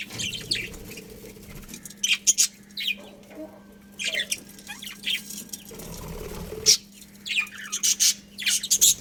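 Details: Budgerigars in a colony give intermittent bursts of high, scratchy chirps and twitters with quieter gaps, plus faint rustling and a low background hum.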